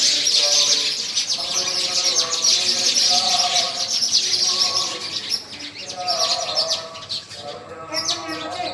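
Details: Sparrows chirping during a scripture recitation: dense, rapid high twittering runs continuously while a man's chanting voice carries on beneath.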